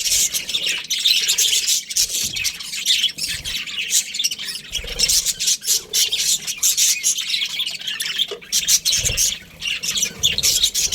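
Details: Australian budgerigar breeding pair in steady, buzzy, high chatter, with harsh squawky notes and clicks woven through eleven seconds of busy twittering.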